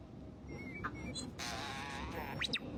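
A starling imitates droid beeps: thin whistles, warbles and steep, rapid up-and-down sweeps over a few seconds, with harsh bursts between them.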